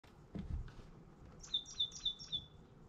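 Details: Titmouse from a family back nesting on a different branch of the same yard tree after winter storms took their old one; four clear, high, slightly descending whistled notes in quick even series, after a soft thump.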